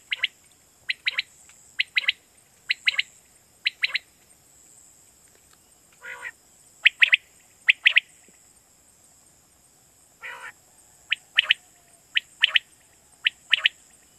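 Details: Quail calling, used in Pakistan as a lure for night hunting. Crisp, high notes come in tight bursts of two or three, roughly every second. Two brief lower, rougher calls break the series over a constant high background hiss.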